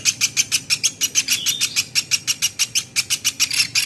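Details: Platuk beras woodpecker in a training recording for songbirds, giving bright rasping notes in a fast, even run of roughly three per second over a low background hum.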